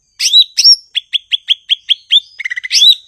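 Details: Blue-winged leafbird song: two buzzy rising opening phrases, then about eight evenly spaced clear whistled notes in a steady row, a quick stuttering trill and a final buzzy flourish.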